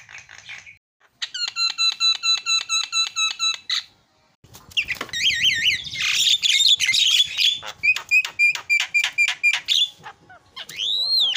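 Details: Starling singing energetically, used as a lure to make other birds call: a run of rapid, evenly spaced harmonic notes, then a pause, then dense scratchy chatter and repeated sharp notes, ending in a rising whistle.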